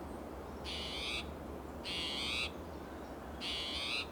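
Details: Spotted towhee, clearly agitated, calling persistently in Del Monte Forest, California, in June; three drawn-out, harsh buzzy notes spaced about 1.3 seconds apart, each rich and raspy, over quiet low background noise.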